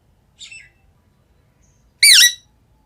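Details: Green rose-ringed parakeet vocalizing: a soft, brief wavering note followed by a single loud, harsh squawk with a rising and falling sweep.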